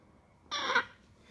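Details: Baby African grey parrot kept as a cage-free pet, saying hi: one short, breathy, speech-like utterance of about a third of a second, amid repeated spoken greetings.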